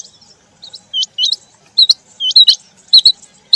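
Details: Male and female quail in rain: a few separate high, sharp hooked notes, paired or single, with clicking noise bursts between them.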